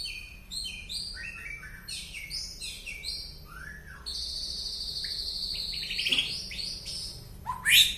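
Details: White-rumped shama from Penaron, East Aceh, with an unusual song: quick series of sliding whistled notes, then a sustained high buzzy trill lasting several seconds and a sharp loud ending note.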